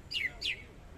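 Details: Greater green leafbird from Kalimantan: two sharp descending whistled slurs, each dropping steeply from high to mid pitch, given in quick succession against quiet low rumble.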